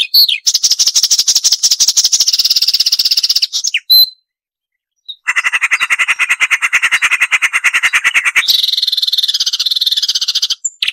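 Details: Marsh warbler giving a sharp, full-variation song for songbird training: long, harsh, buzzing rattles held for several seconds, with a short silence in the middle, then a higher rattle near the end.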